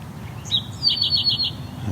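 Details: A male Eastern Towhee at tallgrass prairie edge in McMaster Forest, Hamilton, Ontario, perched atop a tall tree singing over his territory, gives a high introductory note, long thin note and quick five-note trill over low rumble.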